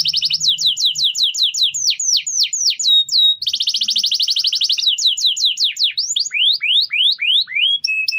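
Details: Canary song used as a training tutor for other birds: rapid trilled phrases of descending whistled notes, a fast buzzy rattle mid-way, then slower downward-sweeping whistles and a short steady tone.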